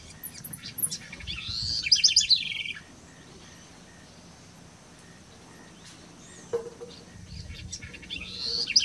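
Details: Song of a house wren recorded in October 2016 at Colonia Carlos Pellegrini, Esteros del Iberá, Corrientes, Argentina: a fast, tumbling, gurgling chatter of high notes for about two seconds, a long quiet pause, then the next burst beginning.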